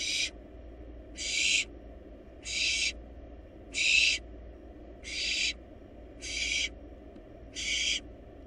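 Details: Wild barn owl nestlings in a monitored nest box, feeding on a large rabbit: seven harsh, broadband hissing screeches, each about half a second, repeated steadily roughly every second over a low background hum.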